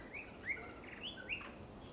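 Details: Female white-rumped shama uttering four short whistled notes, rising slurs with one slightly buzzy, spread over two seconds amid low background hiss.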